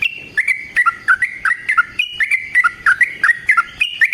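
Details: Yellow-vented bulbul in a long fighting song, played as a lure to make silent bulbuls answer and as a master for training: short bright chirping notes repeated in quick uneven bursts, some dropping lower, with chattering phrases and no background sound.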